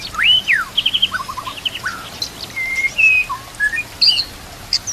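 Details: White-rumped shama song used as training material for other shamas, filled with canary-style phrases, set with nature sounds and trickling water: varied whistled slurs, rising and falling sweeps and quick chattering notes in fast succession.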